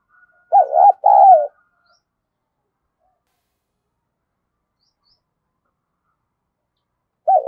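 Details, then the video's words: Spotted dove, thổ voice style, calls two short looping coos, then silence for several seconds before another phrase begins at the very end. "cu gáy thúc gù và gáy gọi cực đỉnh"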